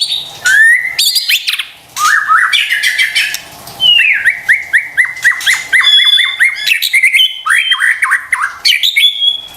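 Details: White-rumped shama used as a lure to stir silent or stressed birds into singing: a rich, varied torrent of whistled phrases, rapid repeated downslurred notes, trills and sharp chips with scarcely a pause.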